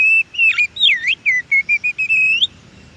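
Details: Wild Oriental magpie-robin singing in nature: a loud run of clear whistled notes, slurred rising and falling phrases followed by a quick series of short repeated whistles ending in a rising note, over faint low background hiss.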